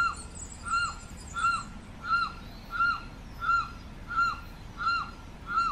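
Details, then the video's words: Carrao, or Limpkin, repeating loud wailing cries at a steady beat, each note swelling then dropping, roughly eight in under six seconds, with little other sound. "Canto del Carrao"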